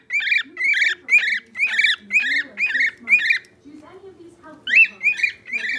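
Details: Pet bird whistling once again to get attention, giving loud, evenly spaced chirpy notes about twice a second, breaking off briefly before starting up again over a soft low background.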